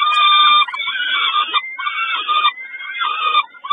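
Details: During a snack at Kawęczyn on 20 May 2022, a peregrine falcon gives loud, hoarse, whining calls, one long note followed by three shorter strained wails.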